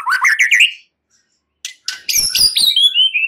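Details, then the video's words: A short white-rumped shama burst: a rapid chattering of rising notes, a second of silence, some sharp clicks, then high descending whistles. "Murai batu BISU diJAMIN NYAUT GACOR dan FIGHTER"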